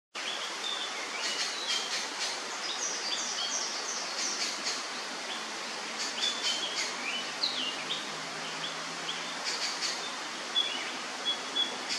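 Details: Victoria's riflebird (Ptiloris victoriae) calling on 11 July 2023: short, harsh rasping bursts, a few grouped together, over steady forest hiss and many small high chirps from other birds.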